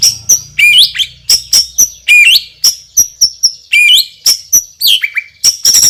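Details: White-rumped shama, a loud and powerful champion singer with a spicy fill-in repertoire, pours out sharp high whistled notes mixed with dipping, buzzy swoops, repeated in an energetic, nearly continuous stream.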